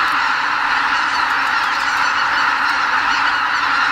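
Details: Migrating greater white-fronted geese stopping over in spring at Miyajimanuma, Bibai, Hokkaido, take off from the roost before sunrise; thick, constant honking from a huge flock.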